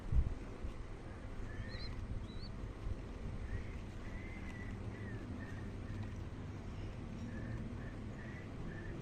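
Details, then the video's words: Young local zebra dove chick that has just finished eating, giving a series of thin, slightly wavering squeaky notes, about ten in nine seconds, with a couple of higher chirps early on over a steady low rumble. "Piyik Perkutut Lokal Anakan baru selesai makan."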